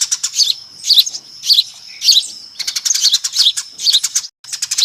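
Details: Noisy flock of Eurasian tree sparrows used as a lure, giving sharp high chirps in clustered bursts, with the chatter thickening to a dense overlapping din in the second half.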